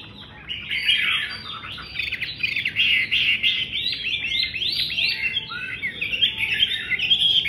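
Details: Chinese hwamei song, loud and fluent: after a brief quiet start comes a continuous jumble of fast whistled and slurred notes, swelling in places and running unbroken to the end.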